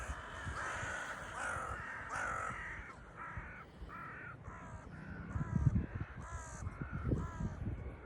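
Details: Crows gathering on the Baltic Sea shore at Liepaja Beach, Latvia: a rapid series of about a dozen short, harsh, nasal caws, several birds overlapping, over low rumbling wind and beach footsteps.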